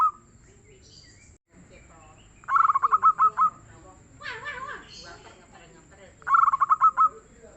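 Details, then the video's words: Zebra dove of a local strain, said to sing often and softly, delivering two trilled cooing phrases of quick pulses that end in drawn-out coos. Between the phrases come faint chirps and a murmur of voices. "SUARA BURUNG PERKUTUT LOKAL YANG GACOR DAN EMPUK"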